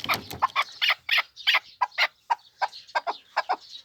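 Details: Pamir chukar partridge uttering loud, uneven chuk and chukar notes. The notes are harsh and broad, with an irregular spacing and a noisy burst at the start.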